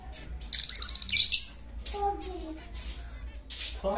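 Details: Pet lutino lovebird singing indoors in Muzaffarpur, Bihar, giving a rapid series of shrill, scratchy chirps for about a second, followed by softer twittering; a few lower tonal sounds from people in the room.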